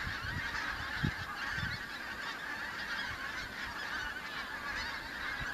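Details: Pink-footed geese, the first autumn migrants of the season arriving in the Kelvin Valley, North Glasgow, on 25 September 2021; a dense flock chorus of overlapping nasal honks and yelps, continuous throughout, with a few low thumps.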